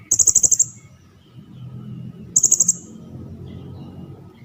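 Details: Cililin song used as masteran training audio for competition birds: two short, sharp, very high rattling bursts of five or six quick ticks, about two seconds apart, over faint low background hum.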